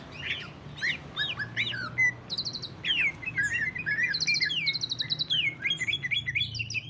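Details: Greater green leafbird song in the ngentrok style, played to stir other leafbirds into full song: quick sequences of sharp chirps and trilled bursts, high ringing rattles in the middle, faint low hum beneath.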